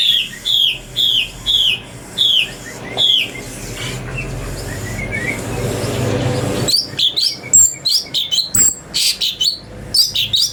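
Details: Brown-breasted bulbul song used to train magpie-robins: evenly spaced, down-slurred whistled notes, a stretch of murky background noise, then a busy flurry of rapid, clipped chirps.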